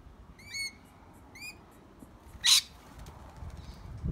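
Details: Lorikeets in trees: two sharp, downslurred chirps rich in overtones, then a single loud, harsh rasping burst, against a quiet background.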